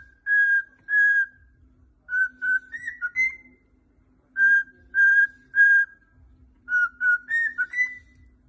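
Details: A pet cockatiel, dancing as it sings, whistles a clear, tuneful phrase of steady notes ending in a rising flourish, then repeats it.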